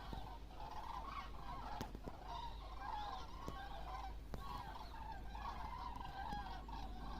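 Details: Huge migrating flock of common cranes flying overhead in October, Sweden, heading to warmer lands; a dense, continuous chorus of overlapping rolling, trumpeting calls, many birds at once, with scattered clicks and handling noise.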